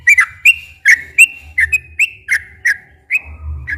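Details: Sooty-headed bulbul in ropel song used to coax quiet captive bulbuls into singing; loud whistled notes, some paired, spaced irregularly, each slurring downward, over a faint low rumble.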